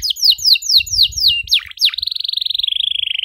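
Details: Young-canary training song from a 'gacor' canary: several bright descending whistles, two deep sweeps, then a long sustained rolling trill, the long 'nembak' style.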